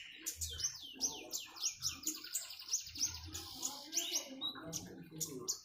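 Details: Common iora singing beside flowing water: a rapid series of sharp, high, down-slurred chirps, about three per second and kept up steadily, with trickling water babbling underneath.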